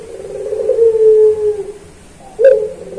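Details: A puter pelung Barbary dove serves as a training voice for caged songbirds. A rolling low coo fades into a long, smooth, falling note; after a short gap, a fresh coo begins with a sudden burst.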